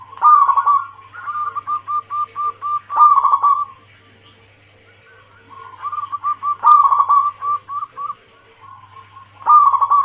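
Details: Zebra dove of a local Bangkok–cemani crossbred line, a female calling the male in the anggungan style, used as a lure: bursts of rapid rolling coos alternate with evenly spaced short clipped notes, with a pause mid-clip and a faint low hum.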